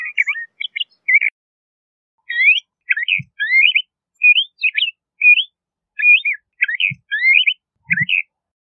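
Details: LeConte's thrasher singing a run of short whistled phrases, each rising or slurred, grouped in bursts with a pause near the middle; faint low thumps underneath.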